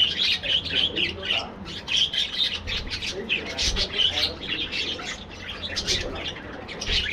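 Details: Colony of budgerigars in an aviary producing busy chatter: many birds at once giving rapid chirps, squeaky warbles and short harsh squawks in bursts, rising and falling in loudness every second or so.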